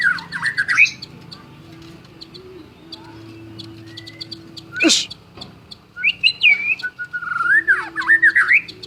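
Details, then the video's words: White-rumped shama, a champion singer, gives rich swooping whistles and trilled phrases at the start and end, with quieter soft notes between, a sharp loud knock near the middle and a steady low hum behind. "Murai Batu Gacor Juara: Kicauan Penuh Gaya dan Energi"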